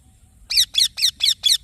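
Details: Green baby parrot chick uttering five or six loud, grating chirps in steady succession, each note a brief harsh downward slur.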